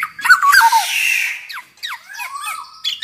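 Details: Energetic black-naped oriole song, meant as a lure to set other orioles singing; harsh rasping squawks and a noisy scratchy burst, then a few slurred whistled notes.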